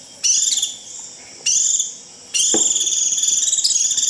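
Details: Shrill 'rít' flock call of a Japanese white-eye: two short, high, buzzy trills, then a longer, steady, sizzling trill lasting almost two seconds, each starting abruptly.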